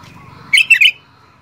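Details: Sooty-headed bulbul in active song delivers one quick phrase of three clipped, bright notes, the first sharp and the next two lower and rounder, over a soft low rumble.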